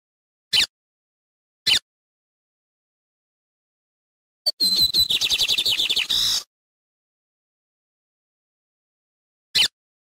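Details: Lined seedeater in nature giving a two-second loud burst of quick high chirps and a buzzy trill, set between long silences and a few isolated single clicks.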